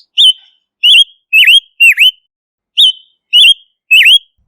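Silver-eared mesia giving clear, high whistled notes, each sliding down then up, in quick clusters with a brief pause midway; no other sounds.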